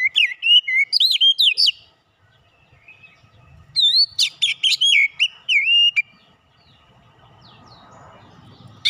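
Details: Magpie-robin lure song meant to excite birds into their full repertoire: rapid chains of clear looping whistles and sharp chips in two bursts with a quiet gap, faint background rustle near the end.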